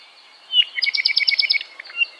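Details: Native Hawaiian honeycreeper, the ʻApapane, gives a sharp upslurred note, then a rapid run of about eight doubled metallic chirps, and closes with a few softer whistles.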